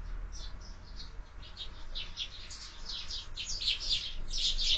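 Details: Morning sparrows at a window feeder used for year-round feeding; a quick series of high twittering chirps builds louder toward the end over faint background hum.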